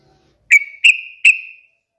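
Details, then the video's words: Yellow-vented bulbul (trucukan) song, a melodious lure for other birds: three clear whistled notes in quick succession, each with a sharp onset and a long, level, fading tail. "SUARA BURUNG TRUCUKAN TERMERDU"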